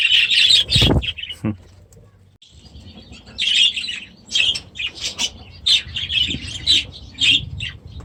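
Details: Young budgerigars from last year's brood, released into a new aviary this season, chattering in high warbles and chirps, with a few thumps and wing flaps between bursts.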